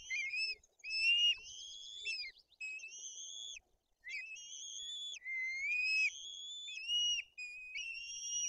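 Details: White-tailed eagles at a nest in Bory Tucholskie, Poland, during feeding of two chicks by the female, with the older chick acting aggressively; thin, high whistled calls with harmonics, sustained and slightly rising, in a broken series of drawn-out notes.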